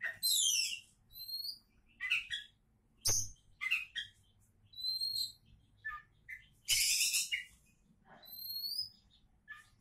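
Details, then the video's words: Oriental magpie-robin (kacer), called a champion candidate, singing a varied phrase: bright whistles mixed with harsh, buzzy bursts and short chirps, sung in separate bursts with brief pauses; a low hum runs underneath. "Kacer Calon Juara"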